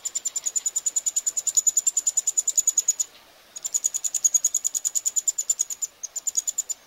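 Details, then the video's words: Chicks of the Eurasian wryneck being fed, recorded in Pribytki, Russia, 2 July 2018: a fast, even series of shrill high ticking notes, broken by a short silence and resumed. "Eurasian wryneck (Jynx torquilla) feeding chicks"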